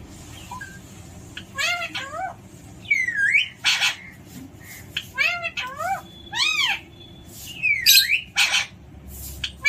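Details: Alexandrine parakeet kept as a pet, uttering a lively series of ringing, down-curving harmonic calls and harsh bursts, spaced irregularly across about ten seconds, with faint voices and hum behind.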